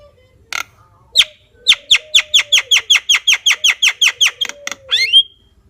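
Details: Javan myna uttering a rapid string of about fifteen harsh, clicking notes, evenly spaced several per second, ending in a twisting buzzy note, with faint low tones beneath.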